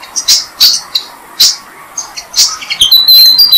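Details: Six-day-old Malaysian pied fantail chicks fed by parents in a jam tree; short, harsh, hissing high-pitched bursts come in an irregular rapid series, about three per second, with thin whistled notes toward the end.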